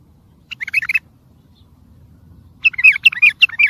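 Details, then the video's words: Bulbul song played to train and excite other birds, styled sihan: a brief half-second burst of chattering notes, a pause of nearly two seconds, then a louder run of rolling, warbled whistles. "سمع بلابلك طياريات سيحان روعه صوت ماينوصف للتخريج وتحفيز"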